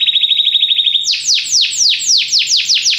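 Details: Singing Belgian canary, trained-song recording: a fast trill for about a second gives way to slower, broad slurred notes sweeping downward, about five each second, clear and loud.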